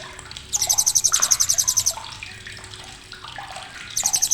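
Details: Blue-crowned hanging parrot uttering its sharp chattering, a recording for training contest birds: one long, piercing rattle of rapid, evenly pulsed high ticks lasting over a second, then quieter clatter and a fresh burst beginning at the end.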